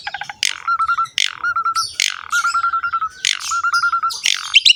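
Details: Repeating phrase from an Asian pied starling's 'gacor' training song: a harsh burst followed by a steady warbled whistle, given about four times in quick succession.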